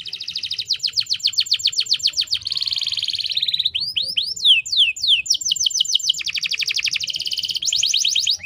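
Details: Female canary lure used to make males sing fast: rapid rolling trills and buzzy stretches, interrupted by looping downslurred whistles, steady and high-pitched throughout.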